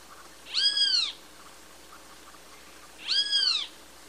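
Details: Great kiskadee giving two loud, nasal, arching calls that rise then fall, each about half a second long and about 2.5 seconds apart.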